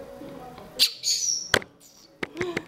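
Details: A female red-winged blackbird chick, found alone chirping for over an hour and a half on a bike path, gives a thin, high, wavering squeal lasting about half a second during her first hand-feeding, among sharp clicks and a person's voice nearby.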